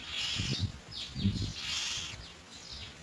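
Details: Young myna nestlings waiting for food give harsh, rasping begging squeals in quick overlapping bursts, some sliding downward, as parents bring white food pellets to feed them. Low thumps and rustling come through underneath.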